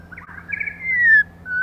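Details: Female white-rumped shama song for stimulating males: a short warbling start, then a long, smooth whistle sliding gently downward, followed by a brief steady note.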